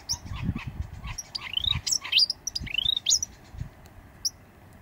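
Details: Endangered Eastern bristlebird (Dasyornis brachypterus) displaying in late August 2017, Booderee National Park, Jervis Bay, near the Cape St George ruins: loud, sweet upward-sweeping whistles in quick succession, with soft low thumps of wind or handling.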